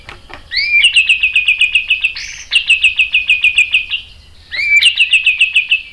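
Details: White-rumped shama song played as a lure to draw other birds into answering: a rapid train of bright, upward-flicking notes repeated about three or four per second, broken by a brief rasp, then resuming.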